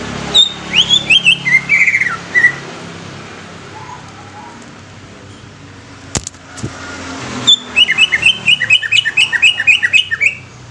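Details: Greater green leafbird singing in two bouts of crisp, rapid downslurred whistles, with a quiet gap and a sharp knock between them, over a low steady hum.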